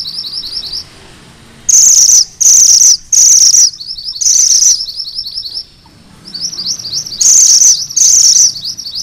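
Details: Sunda bush warbler (mantenan gunung merah) in full, rolling song, used as tutor audio for magpie-robins: bright, very high bursts of about half a second, repeated roughly once a second, over a steady run of thin, chattering high notes.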